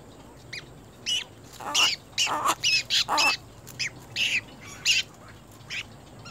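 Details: Little egret chicks fighting: loud, harsh, raspy squawks, some single and some in quick runs of three or four, spread over about six seconds against a quiet background.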